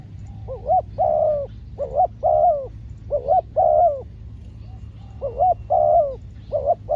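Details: Spotted dove, a trained decoy bird calling during a trapping outing: phrases of a short rising double coo followed by a longer, falling, hoarse croo, repeated four times with pauses between. Low background hum.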